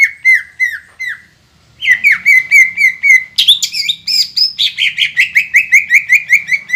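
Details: Loud, continuous song of a green leafbird meant to provoke other birds into singing: repeated down-slurred whistles, then a burst of higher varied chirps and squeaky phrases, ending in a fast series of rhythmic slurred notes.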